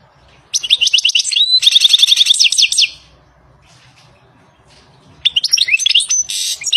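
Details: Wild European goldfinch song, a rapid run of bright, liquid twitters and short buzzy trills in two bursts separated by a pause of about two seconds; quiet low rumble underneath.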